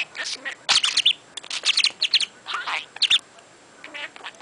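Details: A pet parrot that talks, saying numbers and phrases, chatters in quick, harsh, squawky bursts of rasping syllables and short screechy notes with brief pauses, indoors while at the bottom of a staircase spinning a mirror.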